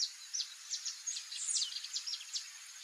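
Solitary Sandpiper giving thin, high, sharp notes in quick, uneven bursts, several per second, over a steady background hiss.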